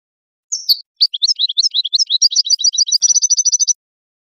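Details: Goldfinch singing, used to train birds and encourage mating. It opens with a few chirps, then a rapid tumbling twitter that settles into a fast, even trill of repeated high notes before stopping. The background is silent.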